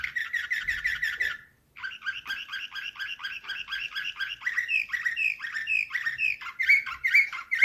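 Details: Canary singing in the Slavujar nightingale style, 2024: a fast buzzy trill for over a second, a short pause, then a long run of rolling, drooping notes repeated about twice a second, brightening toward the end.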